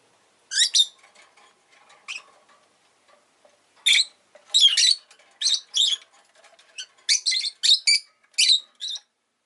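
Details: Rosy-faced lovebird (Agapornis roseicollis), a pet bird, giving loud harsh chirps and squawks, single and in quick bursts, scattered through the recording with short quiet gaps and faint low background noise.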